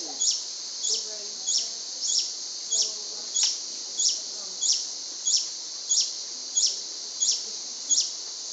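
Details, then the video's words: Long-billed hermit, a large tropical hummingbird, along Pipeline Road, Panama, in July 2010, displaying: one high, thin, squeaky note repeated about every two-thirds of a second, steady and mechanical, over a quiet forest background. "Long-billed Hermit displays"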